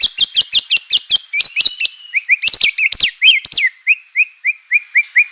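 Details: White-rumped shama song used as a lure to provoke other shamas into singing: rapid high whistled notes, then sweeping slurs and a run of short repeated rising whistles, clear and loud.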